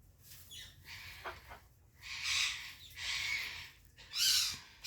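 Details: African grey parrot with a thin whistle and soft clicks, followed by three loud, breathy hissing rushes, the last one sharpest.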